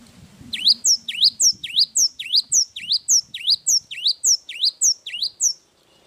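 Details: A cinereous tit delivers a long, sustained song: a dozen even, piercing whistled notes, each a quick down-then-up sweep, about two per second, then stops. Faint low hum in the background.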